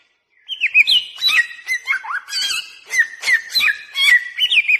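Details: Samyong or bare-throated whistler used as a caller: after a short silence, ringing whistled notes with upward flicks begin, accompanied by regular sharp chips and varied slurred phrases.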